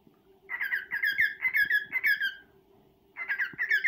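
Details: Indoors, a male cockatiel serenades a female with a two-second chain of bright, fluty chirps that drops in pitch at the end, then begins a new phrase; background hum throughout.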